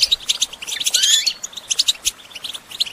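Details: European goldfinch song for songbird training: lively high chirps and twitters with a drawn-out buzzy flourish early on, then steady pulsing chirps.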